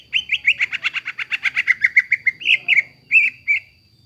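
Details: Greater green leafbird song as a lure for a bird that stopped singing: a rapid rattling series of about twenty chirped notes at steady pitch, slowing into a few separate whistled notes.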